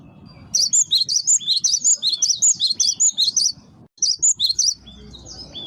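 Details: Cinereous tit, locally gelatik batu or gelatik wingko, singing a lure song: a rapid train of piercing high chip pairs, then a brief break and a few fainter trailing notes.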